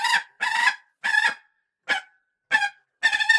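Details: Falcon giving a series of harsh, nasal, clipped calls, about six notes spaced irregularly over three seconds, some doubled.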